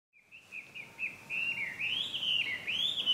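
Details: Chinese hwamei recorded 5 June 2020 at Ikimono Fureai no Sato: a continuous run of high whistled, warbling notes that starts softly and swells louder, sliding up and down in connected rich phrases.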